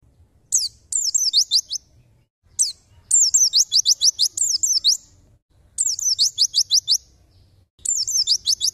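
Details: White-eye singing in the tembakan style, recorded as a tutor for songbirds: very high, rapid bursts of descending slurred notes in quick volleys of about six to eight, separated by short pauses, with a faint low rumble underneath.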